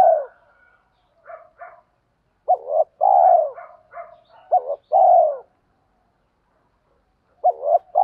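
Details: Spotted doves cooing for stimulating birds in training: groups of soft low coos, each pair led by a brief lilting rise, with faint rolling murmurs between the louder phrases.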